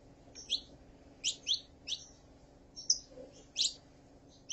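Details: Saffron finch, a female calling and a male singing, recorded to stimulate a kept bird: high, sharp chirped notes spaced about every half second to a second, over a steady low hum and background hiss.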